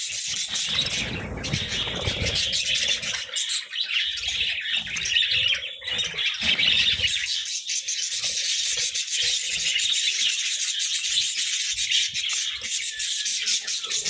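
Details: A group of budgerigars feasting on vegetables, keeping up a steady wall of high, scratchy twittering and chirps, with low rumbling knocks during the first seconds.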